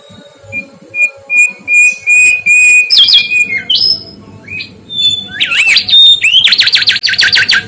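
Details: Mangrove whistler song made of a long run of level whistled notes, looping and sliding whistles, then a rapid rattling trill of repeated notes near the end.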